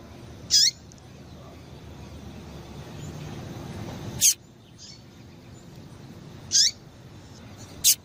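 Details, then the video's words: A female double-collared seedeater gives brief, piercing high chips at irregular intervals of about two to four seconds, four calls in all, meant to stimulate males to sing; faint low rumble underneath. "Piado de Fêmea de Coleiro"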